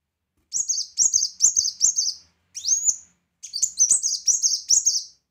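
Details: Loud kolibri wulung, the brown-throated sunbird, used for tutoring other songbirds: fast runs of sharp, high chirps in short bursts, with one long rising whistled sweep between the bursts.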